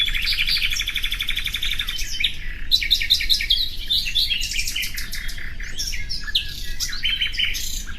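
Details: Common nightingale singing a varied stream of phrases: a fast repeated note series, then sharp whistled notes and quick rattling trills, densely packed throughout against a constant low hum.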